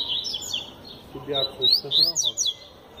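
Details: A double-collared seedeater gives its tui tui zel zel song with strength: bright high notes, then loud upward-sweeping whistles repeated about twice a second, with a low voice-like murmur beneath.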